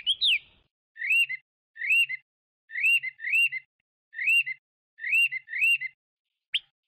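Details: Chinese hwamei song given as spaced-out arched two-part whistles, each phrase rising then dropping, repeated about eight times roughly every 0.7 seconds, after an opening downslurred note.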